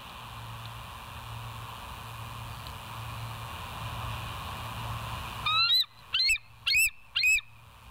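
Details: Bald eagle on a live nature cam, 24 September 2023, 06:59: after several seconds of background hiss and low hum, four quick high piping notes with rising starts and hooked endings, about half a second apart.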